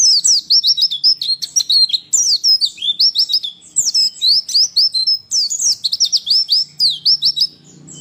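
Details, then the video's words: Female white-eye sound for rousing males to sing as in the wild: continuous high, twittering phrases of rapid descending slurred notes, repeated in dense runs with short pauses, ending on a faint low hum. "masteran pleci malas bunyi akan langsung respon dan emosi"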